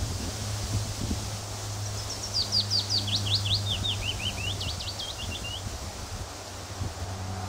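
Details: Male willow warbler singing on his territory on a very windy June 2014 day at RSPB The Lodge, Sandy, Bedfordshire: a sweet, liquid phrase of clear notes sliding gently down the scale, ending with a brief flourish, over a steady low rumble.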